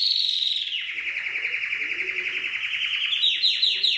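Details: Canary song from an Indonesian compilation for tutoring birds: a long descending then level rolling trill of rapid pulses, closing with a series of sharp downward-sweeping notes.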